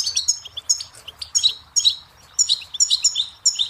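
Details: Goldfinch singing, from a song tape made for tutoring chicks and songbirds; bright, tinkling phrases of rapid high twitters come in bursts separated by short pauses.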